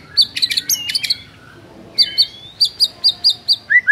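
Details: Morning song of a white-rumped shama: bursts of sharp high chirps repeated roughly every quarter second, interleaved with thin sliding whistles and ending in two lower, rounded whistled notes.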